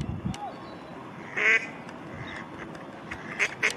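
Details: At Strandbad Blies, Ludwigshafen am Rhein, a female mallard gives one strong, drawn-out harsh quack, followed by two brief quacks close together, with faint low rumble throughout.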